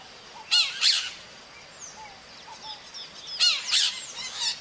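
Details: Wild maritaca parrot in nature: two harsh, raspy squawk bursts about three seconds apart, each a quick pair of grating notes, with faint thin whistles of other birds in the background.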